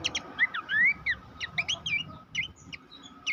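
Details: Abbott's babbler, recorded as master song for training competition songbirds, giving scattered whistled slurs and short chirps, including a long rising whistle, over faint background hum.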